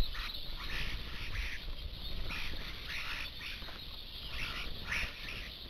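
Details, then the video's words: Flock of roughly seventy common starlings crowding a garden feeder with too few perches, the rest waiting in surrounding trees; rasping, chattering calls repeat densely throughout, with occasional brief whistles over low background noise. "Starenschwarm am Futterplatz"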